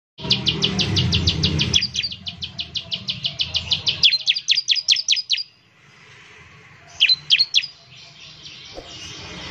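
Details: Bar-winged prinia song used to prompt other birds to sing: long runs of rapid, sharp high chirps, about three per second, in trains lasting several seconds, then a pause and a short burst of three notes.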